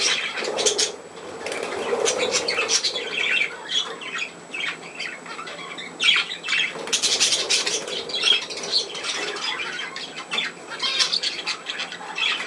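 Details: Indoor pet budgerigars keep up a continuous busy chatter of buzzy, scratchy notes and sharp squawks, with louder surges around the middle and occasional soft rustling.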